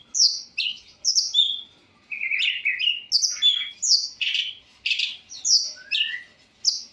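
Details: Long-tailed shrike in energetic, highly varied song. It pours out clipped whistles and harsh chirps in irregular bursts, broken by a brief pause near two seconds. One note slides upward late in the passage.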